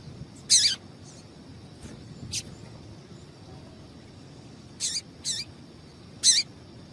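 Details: A female rusty-collared seedeater calls to prompt the male to sing: scattered high, sharp chirps, a few paired, separated by pauses of up to two seconds, over faint steady background noise.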